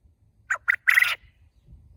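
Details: Loud call of a farm quail kept in a cage, three-part phrase of two short clipped notes and a drawn-out rasping final note, with faint low background rumble.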